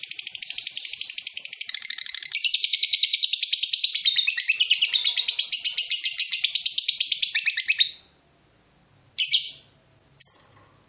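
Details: Lovebird in breeding mood calling to provoke a rival: a long, fast, continuous shrill chattering trill lasting about eight seconds, then two separate sharp high notes after a pause.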